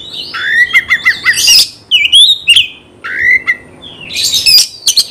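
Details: Oriental magpie-robin singing hard to rouse rivals to fight, with phrases of slurred whistles and short rapid chirps, dense bursts of harsh squawky notes, and brief pauses between phrases.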